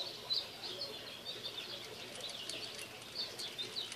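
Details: New toy keeps a female pet parakeet occupied indoors; she utters a sharp chirp near the start, then a run of soft, scratchy chattering warbles, with occasional faint clicks.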